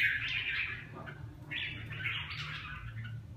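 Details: Red-whiskered bulbul giving two short bursts of warbled, chirpy phrases separated by a brief pause, softer and slightly fainter, with low background hum.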